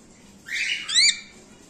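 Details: Emerald (split) cockatiel pair, kept birds, giving a short harsh squawk: a broad screechy burst, then a brief rising whistled flourish near its end; quiet room background.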